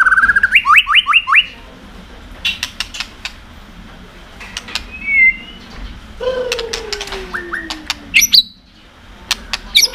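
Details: White-rumped shama in full song with 'tạch' clicking, meant to stimulate other birds: a fast burst of rising whistled notes, scattered sharp clicks, a soft whistle and a long low descending slur, then more clicks.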